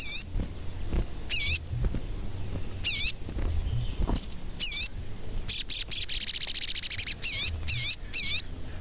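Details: Lure recording of a sogon for provoking other sogon into singing and agitation, its 'cuit cuit' calls heard as repeated high looping whistled chirps roughly every 1.5 seconds, then a fast rattling trill and more chirps in quick succession.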